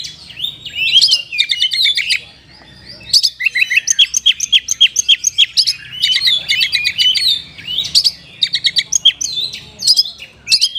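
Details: Oriental magpie-robin in kapas tembak style: repeated bursts of rapid staccato whistles and rolling trills, punctuated by short pauses, with a faint low hum in the background.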